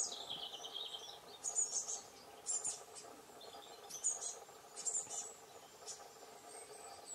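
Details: Two hungry great tit chicks begging for food in June, giving thin, high, hissing squeaks in short bursts roughly every second or so, over a steady low background hum. Great tit.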